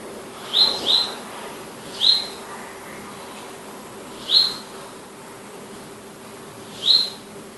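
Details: Palestine sunbird repeating sharp, thin, upward-flicked high notes, a quick pair followed by single notes spaced about two seconds apart, over a quiet hissing background.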